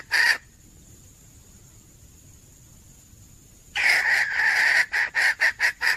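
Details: Female red junglefowl calling for a male, recorded 17 February 2021: one short harsh burst, a pause, then a long hoarse call followed by a fast string of clipped, rasping notes repeated about four times per second.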